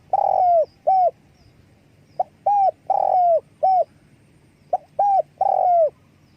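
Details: Spotted dove calling while flapping its wings: repeated phrases of mellow coos, each a stretched sliding coo followed by a brief clipped note, about three phrases in six seconds.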